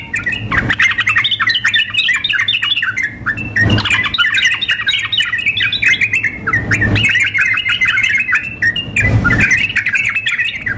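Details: Sooty-headed bulbuls in a contest-style mix of a female calling a male and an excited male singing; long runs of quick, bubbling chatter interrupted by several short thudding noises.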